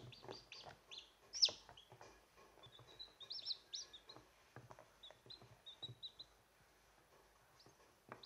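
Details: Chicks of the recordist's own hens peep: short, high, thin notes, some sliding downward, come in scattered bursts between soft taps and clicks, with quieter gaps toward the end.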